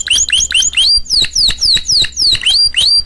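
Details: Loud close canary song of quick whistled slurs: a few rising notes, a series of longer downward sweeps, then rising notes again, repeated about three or four times a second.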